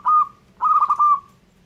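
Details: Brief, loud song from a local zebra dove: one short steady whistled coo followed by a longer, stuttering, trilled coo that trails off evenly.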